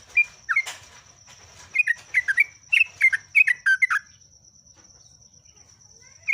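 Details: Singing yellow-vented bulbul (jogjog) in ngeropel style: a tight string of quick, chattering, rising and falling whistles for about three seconds, then near silence with one final note. A steady high hum continues throughout.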